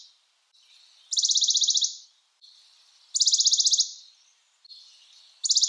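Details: Western Bonelli's warbler repeating a fast, dry, even trill of high notes, each burst about 0.8 seconds, separated by quiet gaps with faint lower chips.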